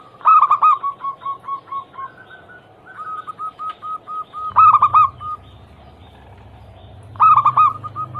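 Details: Zebra dove (local perkutut) cooing meant to prompt other doves into song; strong burry phrases alternate with fast runs of short clipped coos, with a low hum in the background.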